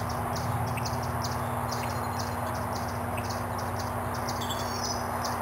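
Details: A Virginia rail family, at least two adults and three chicks, in Sapsucker Woods on 9 June 2009, trades thin, high clicking peeps, roughly three a second, over a steady low rumble and hum.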